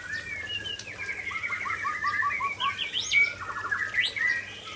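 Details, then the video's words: Singing white-rumped shama of the Aceh type showing off its best fill repertoire: a dense, varied outpouring of rolling repeated notes, bright whistled slurs and sharp high sweeps, loud and continuous throughout. "Murai Aceh Tumpahkan Isian Andalan"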